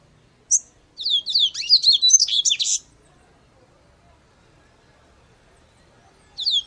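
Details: A brief sharp high note, then a two-second burst of rapid, bright twittering from a Double-collared seedeater, with long quiet after it and the next phrase just beginning.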